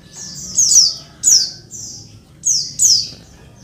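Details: Oriental white-eye female giving a noisy call meant to stir lazy males into answering; high, thin notes slide downward in paired bursts, four bursts in all, with brief gaps between.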